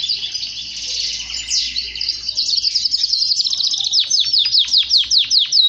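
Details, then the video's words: Male canary singing to rouse other males: a dense, jumbled warble that breaks into a fast series of sharply descending slurred notes toward the end. "Canari chante طريقة تحفيز دكور طائر الكناري على التغريد والهيجان"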